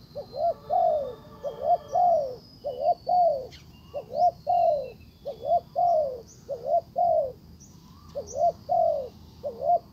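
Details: Calls of a decoy spotted dove luring a wild dove that ignores it; repeated low coo phrases, about one per second, of short paired notes and longer downward-falling coos, with faint high chirps and a steady whine.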